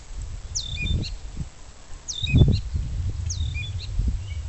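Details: Banded gray catbird practicing its song and mimicking other species: a thin, high, squeaky phrase with a short sliding note, repeated about every 1.7 seconds, over low rumbling and rustling noise.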